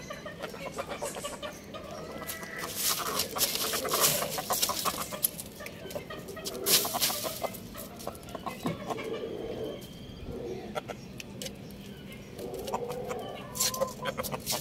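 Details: Chickens on a farm: busy overlapping clucks and cackles, repeated rapidly and irregularly, with occasional thin higher calls and scratchy rustling, but no clear drawn-out crow.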